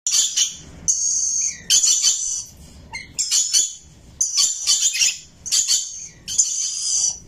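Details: Rainbow lorikeet parrot chirping and singing: harsh, screechy high bursts in quick runs, each lasting about half a second to a second, separated by short gaps, with one lower, clearer note near the middle.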